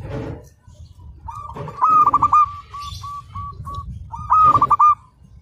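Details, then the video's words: Local zebra dove singing persistently, meant as a training master: repeated rolling coo phrases of quick stuttering notes, with a softer trailing series of evenly spaced coos between louder bursts. Low rumbling background noise and clicks are heard. "Perkutut Lokal Gacor, Masteran"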